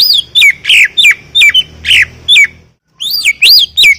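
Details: Greater green leafbird singing strongly: a rapid series of bright, down-slurred whistles and harsher chattering notes, roughly three per second, broken by a brief silence before three arching whistles resume.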